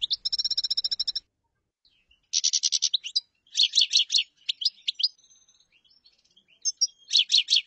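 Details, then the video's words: Chaffinch song opening with a steady, evenly spaced trill, then fast rattling note series and jerky sliding notes after short pauses. No other sounds are clear. "تغريد تبلاط"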